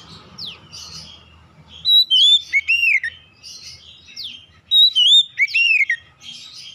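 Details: Used to stimulate other oriental magpie-robins to sing, this song alternates quick falling chips and buzzy notes with clear whistled phrases that rise, dip and fall, the same pattern heard twice in under seven seconds.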